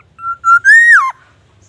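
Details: Black-naped oriole in lively song, with claimed White-rumped Shama and ambulance siren mimicry: a clean level whistle, a brief pause, then a loud rising, arching note sliding sharply down at the end.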